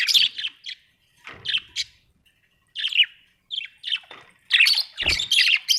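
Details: Budgerigars at home making squawky chirps and scratchy calls in short groups, with a brief quiet spell before a busier, louder run of chatter at the end.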